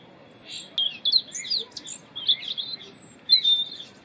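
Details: Winter song of a European robin, loud and melodious: a rapid run of high, thin, tinkling notes and short warbles, with a fresh phrase starting near the end, against a quiet hiss.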